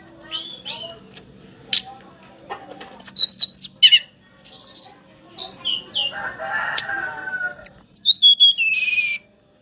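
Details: Juvenile Sunda robin singing strongly despite its age: clusters of short high slurred whistles, some buzzy notes and a lower rasp, rising to a rapid run of descending whistled notes at the end.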